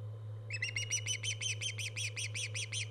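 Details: Osprey at a live-cam nest, 24 August 2014, starting up after half a second of hum and then repeating high, slurred whistled chirps about five times a second, around fourteen notes, over a steady mechanical drone.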